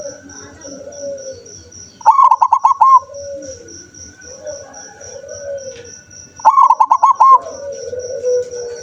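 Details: Two clear song phrases from a zebra dove, roughly four seconds apart, each a rapid stuttering series of short bright coos ending on a held note, with quieter low warbling and a steady high pulsing tone in the background.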